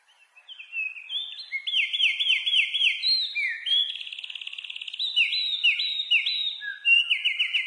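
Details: Nightingale, locally called bulbul hazar dastan, singing a varied, rich song: high whistled phrases, fast repeated rising notes in runs, a buzzy rattling trill near the middle, then more looping whistles, sung continuously.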